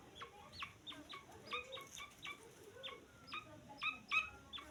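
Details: A young grey francolin utters high, clear little cheeps, short and slightly descending, spaced irregularly and growing a bit louder toward the end, over quiet background hiss.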